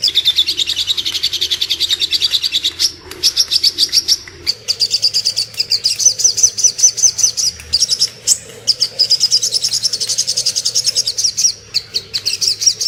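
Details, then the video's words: Little spiderhunter song offered as master and lure material for training murai batu, kacer and other songbirds: long runs of rapid, sharp, high chirps in quick succession, broken by brief pauses, with a faint low hum beneath. "Masteran dan Pancingan suara burung Sogok Ontong"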